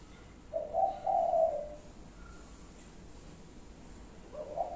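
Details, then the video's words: Spotted dove cooing in its five-note pattern: a brief low note followed by two smooth hollow coos, the last one long and fading, then a pause before the next phrase begins at the end. "chim cu gáy 5 tiếng. cục... cu cu...cu ...cu"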